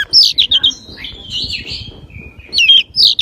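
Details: Magpie-robin, kacer or decu in Indonesian, a small bird singing loudly with wings spread: bright whistled notes and quick chirps in bursts, a longer slurred warble in the middle, loud clear phrases at the end.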